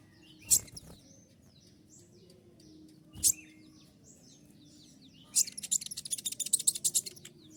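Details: Kolibri ninja sunbird giving its 'tembakan' song: two isolated sharp high chips, then a burst of rapid, very high, shrill notes in quick succession over low background noise.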